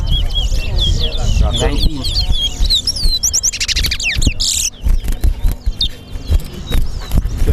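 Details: Towa towa, or chestnut-bellied seed finch, competing in a singing race at a Guyana bird ground on Lamaha and Vlissengen Road; bursts of sweet slurred whistles and quick trills, then a brief buzzy flurry, with people talking throughout.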